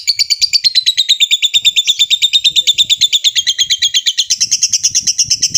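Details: Lovebird giving a long trill, calling a rival: a fast, very regular stream of high, ringing pulses, about three per second, sliding gradually downward, then rising again toward the end, with steady loudness throughout.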